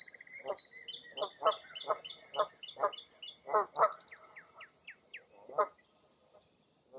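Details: At Mirror Lake State Park, Baraboo, Wisconsin, on a foggy early April morning, loud low honking calls repeat about twice a second beneath a stream of high chirps and short rising whistles from other birds.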